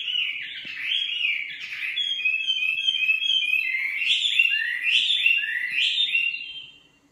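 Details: Singing nightingale delivering a rich, continuous run of varied warbled phrases, with sweeping slurs, rolling trills and bright whistled notes flowing for about six seconds before fading, against a quiet background.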